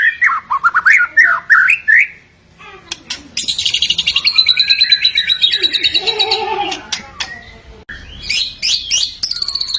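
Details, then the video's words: White-rumped shama song: varied rich whistled phrases that rise and fall, then a long fast buzzy trill, followed by more rapid sweeping whistles. "MURAI BATU MACET, STRES Langsung NGRESPON dan Nyaut Denger KICAUAN INI"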